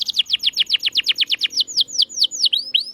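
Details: Canary singing as a master recording to prompt silent canaries to sing again: a series of loud, clear descending whistled sweeps repeated about seven times per second, slowing into longer up-and-down slurred notes near the end.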